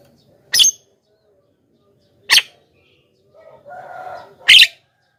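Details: Javan myna lure call: three coarse, scratchy squawks at irregular gaps, with a softer drawn-out crowing sound in the background before the last one.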